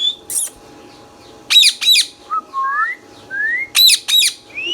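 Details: Green Indian ringneck parakeet kept as a pet, alternating loud doubled screeches with smooth rising whistles in short runs, squawk pairs repeated about every two seconds, a faint steady hum behind.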